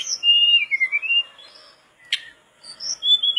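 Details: Mangrove blue flycatcher in full song as a training recording for flycatchers, giving sliding whistled phrases that fall and rise, a sharp click-like note, then more high whistles after a short pause.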